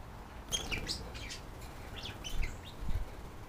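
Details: Pet budgerigars, a male and a visiting female, calling back and forth while put up for the night; short sharp chirps and warbled notes in two loose bursts over background rumble.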